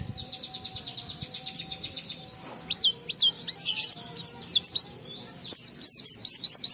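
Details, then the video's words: Oriental white-eye in full song in the ngalas style, with riwikan fills, meant to stimulate other white-eyes to sing: a fast run of high buzzy repeated notes, then sharp rising and falling whistled chips, high-pitched throughout. "Burung Pleci Gacor NGALAS Isian sambung Riwikan"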